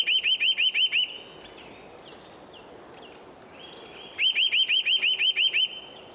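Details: Nest-building Eurasian nuthatch gives a rapid trill of upslurred whistles, falls quiet for about three seconds with faint distant bird notes, then repeats a longer run of about eight ringing rising notes.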